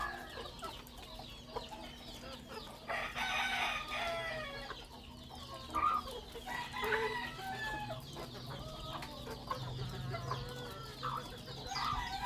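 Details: Rooster crowing in the morning: one long, drawn-out harmonic crow about three seconds in. Shorter broken calls and clucking follow over a steady low rumble.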